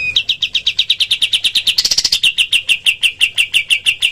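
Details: Cotton pygmy goose recorded as a training call for other birds: crisp high notes fired about three per second, with a brief denser, louder stretch midway before returning to the regular rapid pattern.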